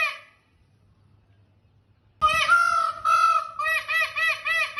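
Indian peafowl: a brief note, a pause, then loud nasal trumpeting, one drawn-out wavering cry breaking into a quick run of short honking notes.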